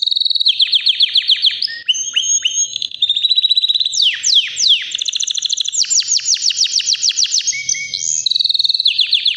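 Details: A white canary aged about three sings continuously, alternating rapid rattling trills with downward-swooping notes and buzzy passages, each phrase lasting a second or two, strong and unbroken.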